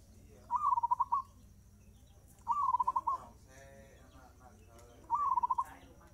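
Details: Fast-tempo zebra dove song, three rolling cooing phrases about two seconds apart, each a brief upward note then a quick run of beaded pulses; another faint bird's harmonic call sounds between phrases, with low background hum.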